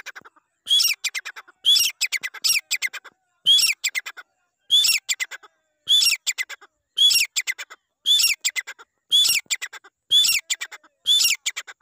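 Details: Grey francolin, called desi teetar, giving a loud, harsh call. Multi-note phrases repeat about once a second, each opening on a sharp rising note and running into a fast, rattling burst of shrill notes over a quiet background.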